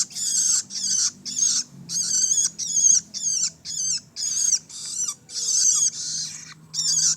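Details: Fledgling long-tailed shrike uttering a steady series of harsh, buzzy squeals, roughly two per second, evenly spaced with short silent gaps.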